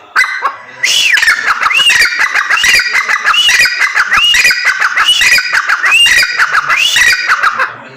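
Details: Grey francolin female, known locally as teetar, giving a loud series of shrill looping notes repeated at a steady pace, about nine phrases in eight seconds.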